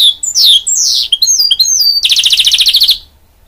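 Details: Hybrid goldfinch-canary mule: bright falling whistles and slurred notes, then a rapid rattling trill of evenly repeated notes lasting about a second.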